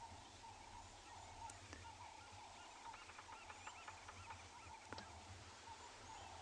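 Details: A displaying crested francolin gives a harsh, rapid rattling series over the engine hum of a game-drive vehicle, with a bearded woodpecker tapping. Recorded on a 14 May 2020 morning drive, Ngala Private Game Reserve, South Africa.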